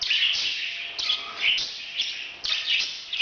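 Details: Breeding sounds from a parrot: rough, grating chirps in quick bursts, with a few clearer whistled notes mixed in, coming roughly twice a second.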